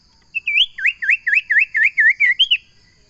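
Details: Common iora giving a longer phrase: a rising opening whistle, then seven or eight rapid swooping whistled notes in steady succession, closing with a higher arched note, against a quiet backdrop.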